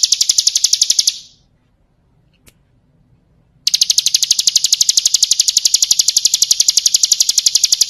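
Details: Bar-winged prinia singing 'ciblek kristal' tutor song for training birds: a fast high chipping trill stops, falls silent for over two seconds, then resumes loud and even to the end.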